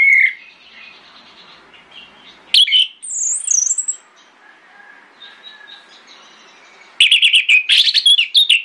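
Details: Morning song of an orange-headed thrush, used to draw replies from other thrushes: a short whistled note, then a brief twisting phrase, a long quiet stretch and a final rapid run of bright notes.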